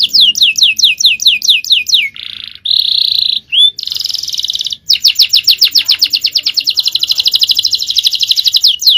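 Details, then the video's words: Canary (male) in powerful 'cengkok jawara' song: a string of clean falling sweeps about five per second, short buzzy rattles, one rising slur, then a long accelerating trill of rapid high notes. "Aksi Kenari||Cengkok Jawara||Full Power Canary Action||Cengkok Champion"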